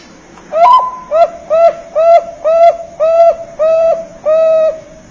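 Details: Bangkok-type zebra dove used as a lure to set other doves singing: eight clear, evenly spaced cooing notes at a steady pitch, each a short rising note run into a held tone, repeated about twice a second.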